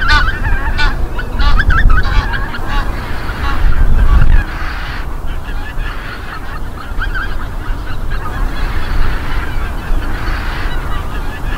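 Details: A flock of greater white-fronted geese in Midden-Delfland, the Netherlands, on 18 January 2020, keeps up a constant, overlapping babble of high, yelping, laughing calls over a steady low rumble of wind.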